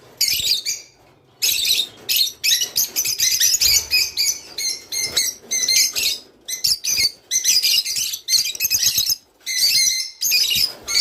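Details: Song of the rice finch, aimed at prompting breeding: rapid runs of sharp, high twittering notes in many dense bursts, broken by brief pauses, with continuous chatter through the middle.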